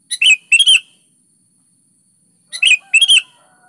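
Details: Vigorously singing sooty-headed bulbul, meant to coax a reluctant bird into singing: two quick pairs of chirpy, liquid notes, a pause of about two seconds, then another pair of bubbly phrases.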